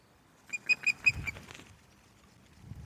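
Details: Osprey, resident female, calling at her nest at Loch of the Lowes, Scotland, on 11 May 2024, evening, while a new male visits: five short, high whistled notes in a quick burst, with a soft low rumble underneath.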